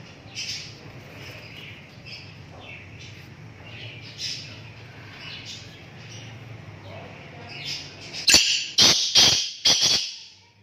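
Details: Black francolin calling: after eight seconds of faint background chirps, a burst of four loud, harsh, rasping notes in quick rhythmic succession, each spread broadly across high pitches, closes the recording.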